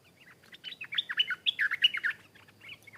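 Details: A wild Stripe-throated Bulbul, possibly someone's escaped cage bird, sings a quick 1.5-second burst of bubbly, chattering whistles in answer to a caged decoy bird, challenging it and coming down aggressively to fight; faint low hum.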